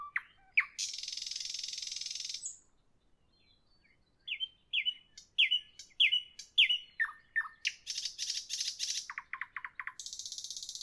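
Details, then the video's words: Nightingale singing in the evening: a dry buzzy burst, a pause, then a run of repeated rising whistled notes, a rapid series of lower clicks, and a closing high buzzy trill. "Evening nightingale, nightingale song, nightingale"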